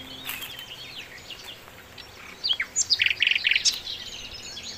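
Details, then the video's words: Flycatcher known locally as sikatan londo, singing actively on a master recording for training songbirds: scattered high thin chirps, then a burst of quick trilled notes repeated in short clusters near the middle, over faint background hiss. "masteran mewah sikatan londo gacor"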